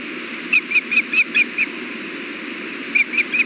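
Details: During a fish delivery at a wild osprey nest, June 4, 2016, afternoon, six clipped whistled chirps in quick succession, a short gap, then three more, over a steady hiss.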